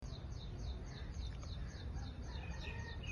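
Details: Parrot chirping in a quick series of thin, high, downward-sliding chirps repeated several times a second, with a few lower whistled notes, over a steady low rumble of background noise.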